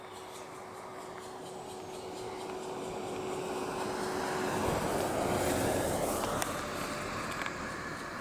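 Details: No animal voice, only a broad rushing roar that swells mid-way, a steady low hum and a few sharp clicks.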